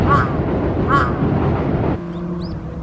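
A crow gives two short, nasal, duck-like calls about a second apart, an odd sound for a crow, over a steady rumble of traffic.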